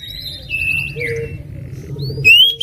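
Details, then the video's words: Captive Oriental magpie-robin, described as a 2021 national champion, in lively full song: a quick run of repeated high notes, a long steady whistle, a low note, then a sharp rising whistle, over faint low background noise. "Kacer gacor full isian tembakan mewek"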